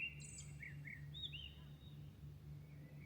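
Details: Birds singing at dawn in Milan, at night: a few short, clear whistled notes with rising-falling slurs and thin high squeaks, over a steady low hum throughout.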